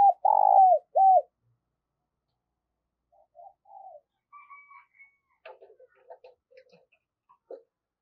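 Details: Decoy spotted dove giving its thúc and gáy calls to lure wild doves: three loud, hollow, arched coos in quick succession, then quieter, scattered low notes and faint clicks.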